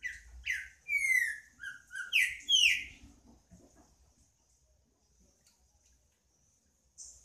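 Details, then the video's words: Green-winged saltator singing a loud phrase of rich, clear whistles, several sliding downward, packed into about three seconds, followed by near silence and a faint high note at the end. "Trinca ferro cantando"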